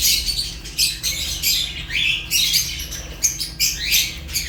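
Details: African lovebirds including Fischer's give quick, shrill chirps and rising squeaky notes in rapid bursts, a few calls sliding upward, with a low hum behind.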